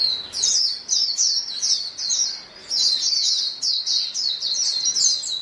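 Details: White-eye flock calling to each other: dense, high, thin chattering twitters in rapid overlapping bursts, nearly continuous with brief pauses, from several birds at once.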